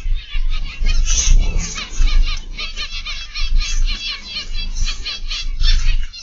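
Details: Captive zebra finches in an aviary, recorded on an afternoon in October 2021: a dense chorus of short, nasal, beeping calls from many birds overlapping continuously, over a low rumbling background.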